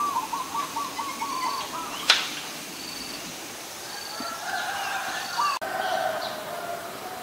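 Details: Adult zebra dove, Ubon Ratchathani, Thailand, 13 May 2022: a fast series of repeated soft coos at the start, then quieter chirps and whistles from other birds with one sharp click.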